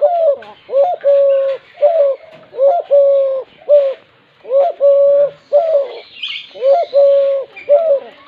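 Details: Dove cooing steadily: each phrase is a short rising note that steps into a flat, sustained low coo. Phrases repeat about every 0.8 seconds in an even, rhythmic series, with faint chirps from other birds in the background.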